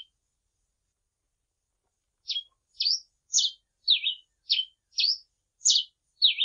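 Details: Grey pileated finch singing in a clean recording without noise: after two seconds of silence, eight bright, high chirps follow at a steady pace of roughly two per second, alternating upswept and downslurred shapes.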